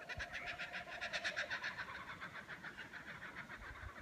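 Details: Kookaburra calling near New Pelion Hut in Cradle Mountain–Lake St Clair National Park, Tasmania, identified later by a fellow hiker. A rapid, rhythmic run of harsh chuckling notes, about four a second, swells then eases off over a steady hiss.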